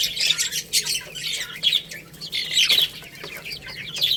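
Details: Young chicks at a meal of rice keep up a busy stream of shrill, overlapping cheeps, rising and falling in waves, over occasional soft taps.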